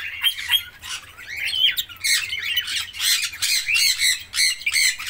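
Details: Harsh, rasping squawks from red-rumped parrots, repeated in quick bursts about every half second. Some notes sweep upward and others are buzzy and broken, with little other sound behind them.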